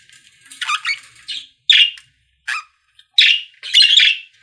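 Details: Budgerigars singing in a pet store: short scratchy, buzzy warbles and chirps in separate bursts, some squawky notes, broken by brief silences, with no other clear sounds.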